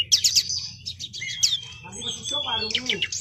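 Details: Male Brown-chested jungle flycatcher in a long rolling song: rapid high chattering notes, then descending slurred whistles and lower warbled phrases, continuous with little pause.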